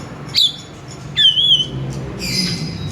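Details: Oriental magpie-robin (kacer) singing, played to draw out song from another kacer: a sharp descending whistle, then a wavering warbled whistle, ending in a hoarse high buzz over faint background hum.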